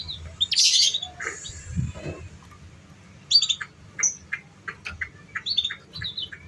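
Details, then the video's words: Canary chirps for training young, unschooled canaries: a noisy burst at the start, then a run of quick, clipped high notes and short whistles over a soft low background. "Pancingan Suara Kenari Paud"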